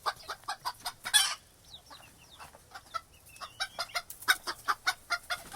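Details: Chickens clucking in rapid runs of short clucks, broken in the middle by a quieter stretch with brief thin whistled peeps and one longer sliding note before the clucking resumes.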